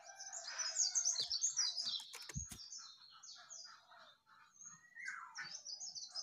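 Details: Yellow-vented bulbul recorded on 29/08/24, singing in a dense, nonstop burst of overlapping chirps and twittering notes. The notes are mostly high and sweep quickly, with a few lower bubbly phrases, and there is a short, sharp knock near the middle.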